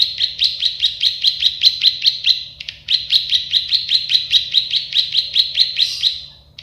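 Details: Plain prinia, locally prenjak sawah, in a recording for tutoring birds: two sustained runs of evenly spaced buzzy chips split by a short break, then a fading tail, over a low hum.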